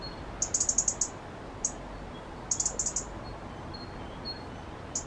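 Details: Resident robin, agitated by two other robins close by, gives very high, thin, sharp ticking notes in quick bursts of four to six, separated by short pauses, with faint thin whistles in between over a soft background hiss.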